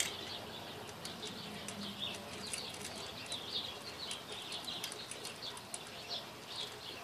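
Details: Indoor parakeet, a female, busy with a new toy: a steady stream of low-volume twittering chatter and squeaky chirps, punctuated by repeated toy taps and clicks.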